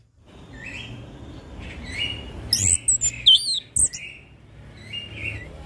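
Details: Chestnut-capped thrush song meant to stir silent birds: soft whistled phrases over background rumble, then a louder cluster of high, squeaky, looping notes in the middle before fading back to soft whistles.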